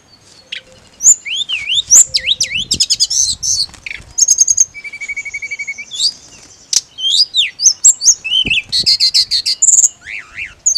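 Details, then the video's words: Long mountain leafbird song sequence meant as therapy for a bird limited to ngirik calls: swooping looped whistles, rapid ticking trains, a low even trill and buzzy chatter, with dense overlapping phrases. "TERAPI ATASI TLEDEKAN GUNUNG HANYA NGIRIK"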